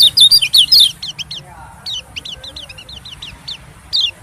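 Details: White-eye lure calls used to attract small birds, especially white-eyes: a loud burst of high, thin chirps in the first second, then a looser series of quieter, short, downslurred chirps.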